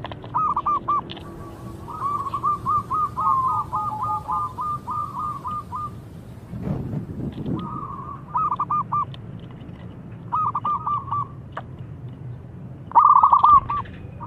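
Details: Zebra dove of a local strain in full voice, calling so a rival answers: quick runs of clipped, bouncing coos in separate phrases, one long rolling sequence, with a brief rough noise burst midway over low background hum.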